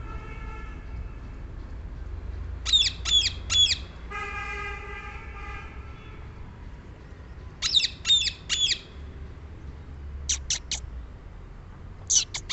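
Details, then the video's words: Shrill, grating screeches from a rose-ringed parakeet come in quick triplets, separated by pauses, with a few shorter clipped notes later; a low humming tone with harmonics intrudes between the first two bursts. "Indian Green parrot or Rose-ringed parakeet"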